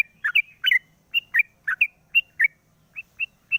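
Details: Sooty-headed bulbul singing in the morning with its cage cover opened, used as a lure: bright paired chirps, lower note then higher, repeated quickly, ending with three lone clear high notes spaced evenly.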